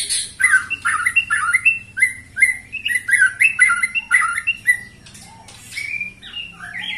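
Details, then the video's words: A white-rumped shama, 21 years old and still singing persistently: a quick series of repeated whistled upslurred phrases, about two per second, then quieter scattered whistles and a few sharp notes. "Murai batu ini ternyata usianya 21 TAHUN Gaya main masih NGOTOT"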